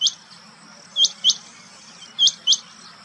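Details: Rain quail at Chandlai lake, Shivdaspura, Rajasthan, India, on 30 July 2020, giving sharp, high, metallic notes in quick pairs, each pair about a second apart, over a faint low hum.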